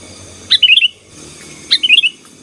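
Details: Lively Sooty-headed bulbul song used to dominate rivals: the same bubbly phrase given twice about a second apart, each a sharp first note then four quick rolling whistles, over low background hum and faint hiss.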